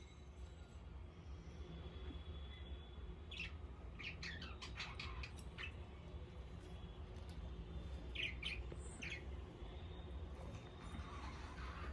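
Budgerigars give short bursts of sharp chirps and squawky chatter over a steady low hum.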